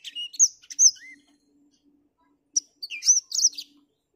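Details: Black-throated finch, heard on a grey morning, gives a short phrase of clear whistled slurs and chirps, falls silent for over a second, then resumes with a sharp note and a fast bright flourish.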